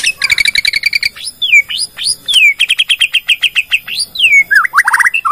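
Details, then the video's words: Bornean white-rumped shama sings a full lure song to get other shamas singing, with a quick stuttering series of bright notes, sweeping downslurred whistles and a long run of rhythmic, rising chirps ending in rapid bursts. "PANCINGAN MURAI BORNEO BONGKAR ISIAN,, MEMANCING MURAI LAIN JADI BUNYI"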